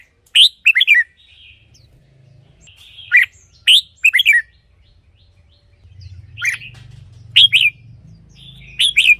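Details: Song of the red-whiskered bulbul, played as a decoy or to stir up caged birds. Loud three-part whistled phrases repeat roughly every three seconds with quiet gaps and a low rumble between them.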